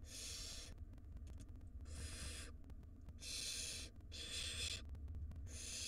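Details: Begging barn owl chicks in a wild nest box as the mother brings food; loud breathy hissing screeches under a second long, repeated about every second, with faint clicks and low hum between.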